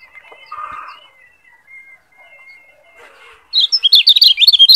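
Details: Lombok yellow white-eye, a kecial kuning, used as a masteran tutor song to train other birds to sing ngeplong faster. A near-silent start with faint soft chirps, then a loud burst of rapid, high, twittering notes in the final second.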